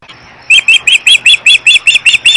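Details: Osprey mother at a nest with two chicks on a nest camera at Riverside Health Center, Missoula, Montana, June 22, 2011, sounding upset: a loud series of about eleven sharp, high, whistled chirps repeated evenly several times per second.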